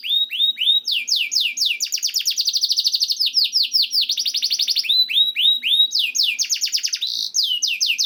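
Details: Singing canary on a training track for encouraging caged canaries to sing: rising and falling whistled slurs, a long dense rattling trill in the middle, then more swept notes and quick rolls.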